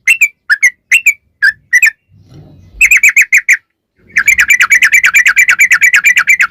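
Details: Sooty-headed bulbul (trucukan) song used as a lure for other bulbuls: scattered single notes, then a short rapid run, a pause with low rumbling, and a long fast chattering burst of even notes.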